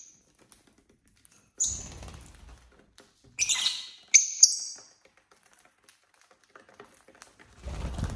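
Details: Pet lovebirds at home on a quiet Saturday: after long silence, a rustling burst, then a few sharp, shrill squeaky chirps in quick succession, followed by quiet and a low rumbling noise at the end.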